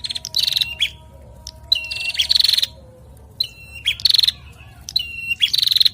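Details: Bar-winged prinia male and female exchanging calls: sharp high buzzing trill phrases linked to a brief lower whistle, repeated in irregular bursts about a second apart, low hum in the background.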